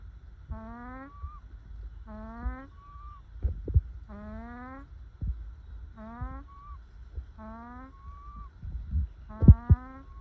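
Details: Happy-sounding ducks resting in the sun give six evenly spaced nasal calls that rise slightly, some trailed by a short whistled note, with soft clicks and thumps between.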